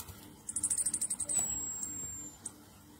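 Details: Orange-headed thrush continuous song used as a lure to stimulate other thrushes to sing: a rapid run of about a dozen very high, sharp notes, then a long, thin, slightly falling whistle, over faint background hiss.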